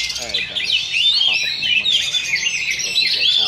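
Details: Contest Oriental magpie-robin from a practice duel in Sindanglaut, Indonesia, delivering a bright, rapid stream of looping whistles and buzzy trills, while spectators shout in the background.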